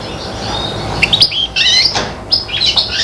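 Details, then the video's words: A serin x bronze canary hybrid, aged five months, mimicking goldfinch song with a handful of clear whistled slurs and upward-sweeping twittering notes separated by brief gaps. "inverzellato imita il cardellino--girlitzmischling macht stieglitz gesang nach"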